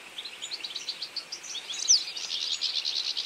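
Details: Feeding flock of European goldfinches in autumn, a continuous chorus of high, liquid twittering notes, short chirps running together without pause.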